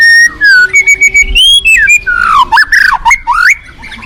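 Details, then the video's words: Forest white-rumped shama singing a loud, varied run of clear whistled phrases, some sliding and others dropping, ending in quick rising and falling notes. "Terapi Murai Batu Hutan"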